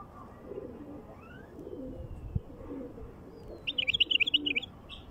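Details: Wild bulbul singing: a quick burst of about eight bright, warbled notes late in the clip, over a steady background of soft, low dove coos.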